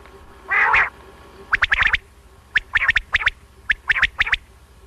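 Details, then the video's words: Single male quail calling for night hunting: one rough opening note, then four clear phrases of three or four sharp, quick notes, spaced roughly one second apart, with little else audible. "بٹیر کی بہترین صاف آواز رات کے لیے"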